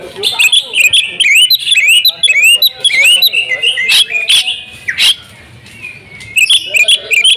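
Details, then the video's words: Home-kept female oriental magpie-robin singing persistently: a rapid stream of high rising whistles and chirps, broken by a few sharp bursts, then a brief lull before the whistling resumes. "KACER RUMAHAN IKUT GACOR BONGKAR ISIAN SERTA NGOTOT || KACER BETINA"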